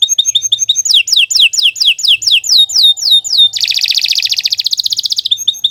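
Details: Canary singing a long song: soft repeated notes, then a series of loud downward-sweeping whistles, shifting into a very fast buzzing trill.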